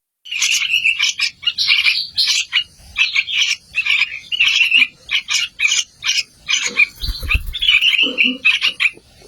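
Yellow-vented bulbul chicks call in rapid, harsh, chattering bursts, several per second and fairly high-pitched. A brief low thump sounds near the end.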